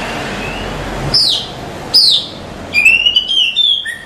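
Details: Oriental magpie-robin female calling a male at night, used as a lure: two abrupt high downslurred chirps, then a bright sustained whistled phrase with a quick stuttering overlay, falling away at the close over a faint background hum.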